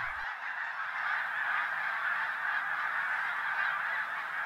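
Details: A large flock of Snow Geese, white adults and darker young blue-morph birds, arriving in winter at a feeding field in eastern North Carolina in the morning, calling together in a dense, continuous chorus of nasal honks and yelps.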